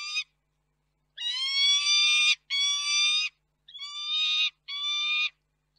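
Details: Peregrine falcons at the nest in Reda, Poland, on 4 May 2023 while parents bring and hand over food: four drawn-out, nasal, wailing notes of about a second each, clear and loud.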